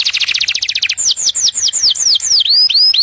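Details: Canary singing for mating, opening with a rapid stuttering trill that breaks into a string of bright swooping whistles, each dropping steeply in pitch, about four per second.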